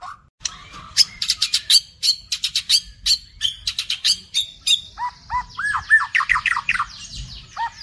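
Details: White-rumped shama (murai batu) lure song with dense rapid-fire phrases and varied fill notes: fast runs of sharp high chips, then lower rolling whistled trills and repeated upslurred notes.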